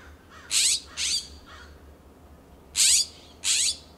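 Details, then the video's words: California scrub-jays calling back and forth in a backyard in Pacific Grove, California, perched on a fence, a coast live oak and a Monterey cypress: harsh, rasping calls, about five short, loud, grating bursts in two loose clusters. "Loud calls of California Scrub-Jays"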